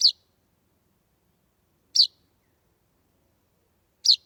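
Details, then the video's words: A baby chaffinch on a doorstep at dusk in mid-July 2020, its parents absent, repeats a thin, high, piercing chirp three times, about every two seconds, in a silent setting. "Sleeping baby bird - chaffinch / Magav linnupoeg - metsvint (Fringilla coelebs)"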